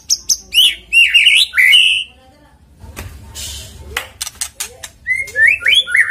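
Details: White-rumped shama used as a lure to prompt singing, delivering loud slurred and buzzy whistled phrases, a pause with clicks and a brief broad noise, then more rising whistled notes.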